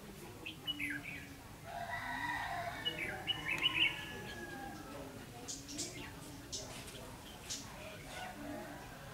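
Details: During decoy trapping on 9 December 2015, a red-whiskered bulbul gives scattered chirps, then a louder cluster of bright warbled whistles in mid-clip, fading to sparse notes amid constant outdoor background noise.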